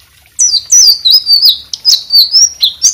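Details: White-rumped shama in vigorous song, played to teach other birds: a continuous rush of loud, high, warbled whistles with rolling slurred notes and quick chips.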